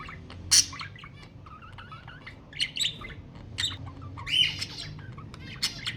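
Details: Budgerigar song used to stimulate mating: a lively mix of short whistled squeaks, buzzy notes and scratchy chirps, with bursts of louder harsh calls.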